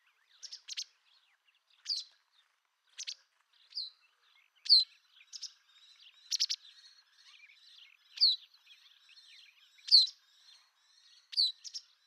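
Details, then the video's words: White wagtail: bright, sharp, high chirps given singly or in pairs, about a second apart, in an otherwise quiet setting. "Vogelstimmen: Die Bachstelze - Wagtail - Motacilla alba"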